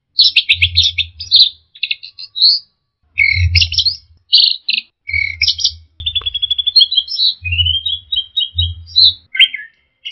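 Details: Orange-headed thrush song used as a lure to make stressed, silent birds sing: rapid varied phrases of high chirps, buzzy trills and short whistled slurs, broken by brief pauses, over an intermittent low electrical-sounding hum.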